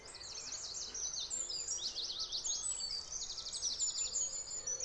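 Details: During the dawn chorus at Nunnery Lakes Reserve on International Dawn Chorus Day, a Eurasian blackcap sings quick, high, scratchy warbled phrases almost without pause, while other birds overlap.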